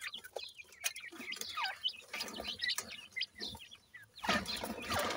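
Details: Sindhi grey francolin chicks while feeding: many short high chirps and thin rising peeps overlap throughout, with dry clicking and pecking noises and a louder burst of rustling near the end.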